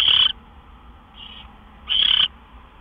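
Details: Owl at the nest just after midnight on March 26, 2013, as a gopher arrives; two short loud rasping screeches with a faint softer hiss between them.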